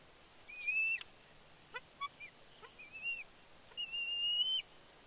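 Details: Excited squees of a bald eagle fledgling at the Big Bear nest, 31 May 2022, as the father flies in carrying a fish. High thin whistles broken by quick chips, ending in a long, slightly rising whistle.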